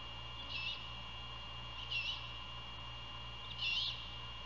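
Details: Great horned owl at a nest near Savannah, Georgia, around 1:38 AM on 27 February 2022, during a prey handover and night feeding: three short, raspy, hissing screeches about 1.5 seconds apart over a steady electrical hum.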